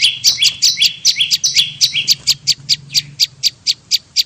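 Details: Bar-winged prinia lure call for attracting prinias: sharp, high, clipped chip notes repeated steadily about two or three times a second, some paired into quick doubled notes, over a faint low hum.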